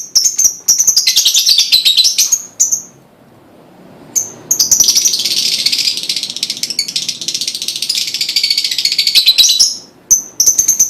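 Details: Lovebird prompting song to encourage other lovebirds to sing: long, continuous, shrill chattering twitter with a brief pause midway, dense and rapid throughout.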